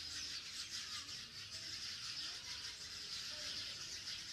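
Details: Many sparrows chirp together in a yard garden with dense trees, in a dense, high-pitched chorus that never pauses, the overlapping cheeps blending into a steady chatter.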